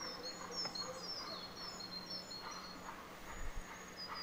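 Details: Black redstart chicks in a nest under a veranda roof of a country house, about 1.5 m up, being fed by the parent: thin high squeaky calls, overlapping and sliding, with faint background hum.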